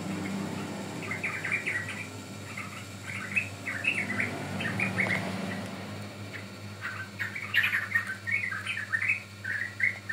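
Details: Sooty-headed bulbul, recorded as lure or training material, giving clusters of bright chirps and short warbles separated by pauses, over a low steady drone.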